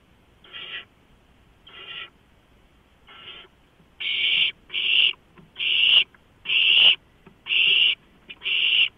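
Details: Nest-cam owlets begging during a late-night rodent delivery, 23 March 2015: three faint rasping hisses build into a rapid series of louder screeches nearly every half second.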